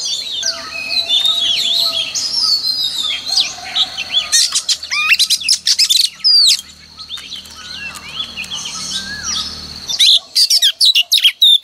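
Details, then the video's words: Oriental magpie-robin hen in full song, a morning lure to prompt males to sing: a varied stream of swooping whistles, then dense bursts of sharp, rapidly repeated notes, a brief pause, and fast notes again. "Kích choè than trống cực căng mỗi sáng | Choè than mái mồi quá hay"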